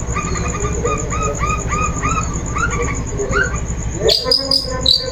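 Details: Long-tailed shrike lure song to encourage singing: a steady series of short arched whistles repeated about three times per second, then a sudden outburst of loud harsh, scratchy chatter.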